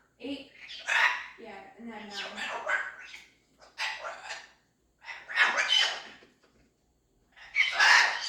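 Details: Pet female cockatoo producing strange noises: a series of five harsh, rasping, bark-like bursts separated by short silences, some with throaty low warbling and others piercing and screechy. No other sounds are heard.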